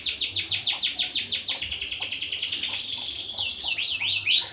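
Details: Canary kept by an Indonesian breeder training birds for song contests: a fast, even trill of bright, high chirps, about six per second, shifting into quicker, sweeping twittering notes near the end.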